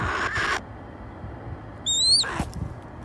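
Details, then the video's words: Wild male red-tailed hawk making begging calls as it waits for raw chicken to be put out for it: a single thin, high whistled note that rises then slides down, with brief rustling bursts before and after. "Wild Red Tailed Hawk Makes Calls"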